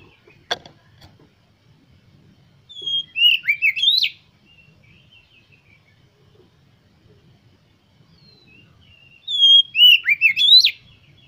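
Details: Oriental magpie-robin song played to stimulate other magpie-robins to sing: a sharp click, then two bursts of clear, sweet whistled notes sliding up and down, each phrase about a second long, separated by quiet pauses.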